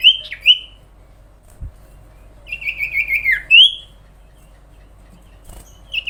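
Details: Sooty-headed bulbul delivering a long, lively song for training other birds: sparse sharp chirps, then a wavering descending trill of rapid notes ending in an upswept whistle, with long silent gaps.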